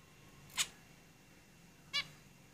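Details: Caged zebra finches giving two short, nasal, harmonic-rich beeps about 1.4 seconds apart against a quiet, faintly humming room background.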